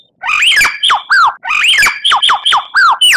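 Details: Tutor recording of a white-rumped shama: rich, loud whistled phrases with swooping, falling slurs, given twice in quick succession, sweet and varied.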